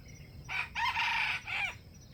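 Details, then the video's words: Wild junglefowl at a bait trap, competing with other wild chickens to crow: one hoarse, broken crow in three parts, with a short opening note, a long loud middle and a falling end, over a steady insect hum. "wild chickens compete to crow"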